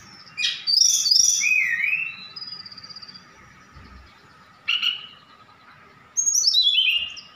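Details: Javan bush lark from Sukabumi singing vigorously, its song packed with imitations of cililin, sikatan londo and other birds: high sweeping whistles and buzzy bursts in separated phrases, with a steady faint hum beneath.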